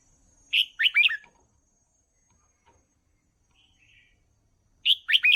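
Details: Training song of a caged red-whiskered bulbul for young birds: a quick phrase of slurred whistles, a quiet gap with faint chirps, then the phrase begins again.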